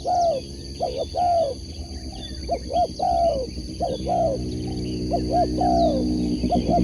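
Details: Spotted dove kept for sport dove competition. Its repeated phrases of quick short coos and a drawn-out note come over a loud, low engine rumble.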